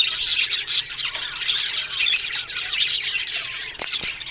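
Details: Aviary colony of budgies, a thick chorus of harsh squawks and twitters from many birds, rising and falling in waves, with two sharp clicks near the end.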